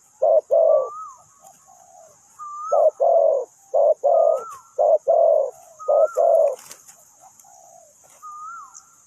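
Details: Spotted dove kept as a ground-trapping decoy bird, cooing in short paired phrases: a brief low coo followed by a longer, throaty croo, repeated about once a second with pauses. Thin upslurred whistles from another bird and faint high hiss are heard.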